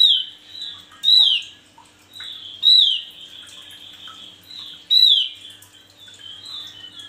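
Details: A male Javan grey-throated white-eye, kept as a song tutor for other birds, sings a loud sweeping whistled phrase about every two seconds over a steady high twittering chatter.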